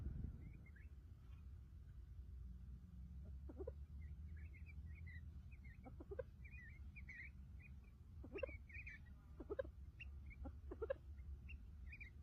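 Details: Houbara bustards with their chicks; thin, high chirps come in loose runs, joined by sharper clicking knocks every second or two, all above a constant low background hum.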